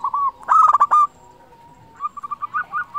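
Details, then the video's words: Loud local zebra dove song meant to stir other doves into singing; a fast rolling burst of coos, a long low steady tone, then a string of short, evenly spaced cooing notes. "Perkutut lokal gacor suara besar cocok untuk pancingan burung perkutut supaya bunyi"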